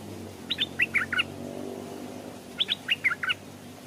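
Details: Stripe-throated Bulbul kept as a decoy bird, hung in its cage at a streamside where wild birds come close but stay off the ground; twice a cheerful burst of about six quick warbled notes, with low hum between.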